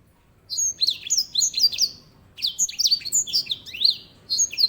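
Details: Lively high-pitched song of a grey singing finch: clusters of sharp rising and falling whistles in three phrases, with brief gaps between them.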